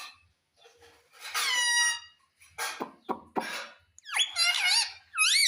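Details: Household talking parrot, a ringneck taught "mummy": a long flat harmonic tone, a few rough bursts, then quick wavy arched notes with rising and falling inflections.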